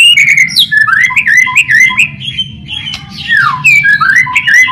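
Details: White-rumped shama in full song, played as a lure to prompt other shamas to sing: loud, fast run of rich whistles, slurred up and down and packed with sharp clicks and chattering notes, over a low background hum.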